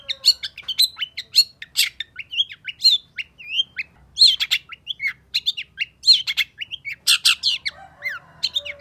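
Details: Long, varied long-tailed shrike song used to stimulate a bird that has stopped singing: fast, unbroken stream of high chirps, slurred whistles, rasping buzzes and mimicked-sounding notes, loud throughout.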